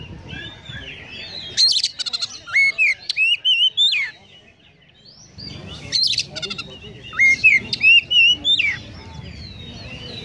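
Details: Two bursts of Oriental magpie-robin song, konslet style, packed with Eurasian tree sparrow imitations: sharp chirps, short trills and looping, rising whistles, separated by a quiet pause, with a low rumble underneath.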